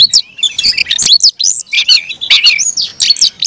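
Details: Caged Oriental magpie-robin in aggressive fighting song: loud, rapid run of high whistles, sweeping slurs and harsh chattering notes, packed phrases with brief gaps, with no other clear sounds.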